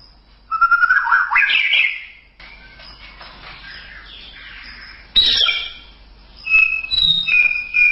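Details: White-rumped shama song in a masteran training recording: a loud rising, buzzy warble, then a quieter stretch, then bright high whistled notes and trills returning after a pause.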